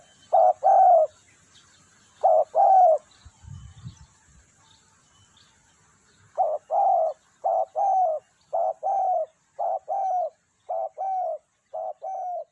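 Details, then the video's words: Spotted dove call used for luring birds: a few paired coos, a low rumble and quiet gap, then a quickening run of short hollow coos at steady intervals. "SUARA tekukur di jamin ampuh cocok buat pikat/masteran"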